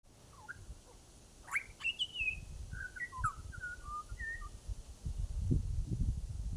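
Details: Butcherbird in Australia giving a varied song of clear whistled notes, some sliding and some short, scattered over several seconds, with low rumbling background noise growing louder toward the end.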